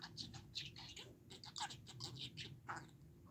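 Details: A household budgie's mimicking chatter, quick burbling strings of harsh, buzzy syllables broken by a few brighter squeaky notes, steady and busy across the whole stretch with a faint background drone.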